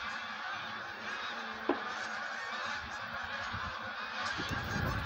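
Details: Wild geese preparing to migrate, heard as a massed flock: continuous overlapping honking chorus, with a sharp knock near the middle and some low rumbling toward the end.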